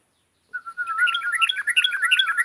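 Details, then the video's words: Yellow-vented bulbul in lively full song: after brief silence, a bubbling, warbled phrase of quick liquid notes wavering around a steady mid pitch, with bright higher notes sprinkled through, clean and close with no other sounds. "TRUCUKAN GACORR"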